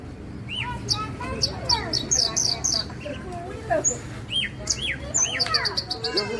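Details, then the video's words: Singing Javan bushlark of the Parva type: curved whistled slurs rising then falling, interleaved with high clipped chirps and short trills, a lively, varied jumble over low hum. "Suara Burung Branjangan Parva"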